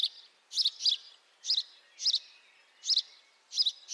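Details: House sparrow calling, captured with a high-definition microphone: short, bright chirps centred high in pitch, given singly or in quick pairs roughly every half second to second, over a faint steady background hiss.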